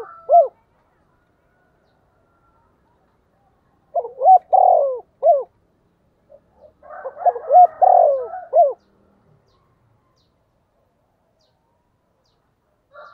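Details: Spotted dove kept as a caller to lure other doves, in its local regional voice: two loud cooing phrases of short upswept notes around a long central coo, separated by pauses of several seconds.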